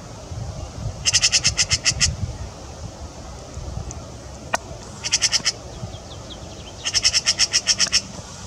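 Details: Magpie chattering in Wuppertal, Germany: three loud machine-gun rattles of rapid harsh notes, the last the longest, with a single sharp click between bursts and low background rumble.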